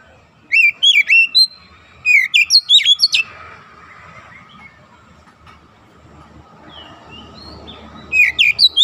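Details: Oriental magpie-robin song used as a training recording: bursts of rich, varied whistled and chirping notes in short phrases around 0.5–1.5, 2–3 and after 8 seconds, separated by quiet gaps with faint background hum.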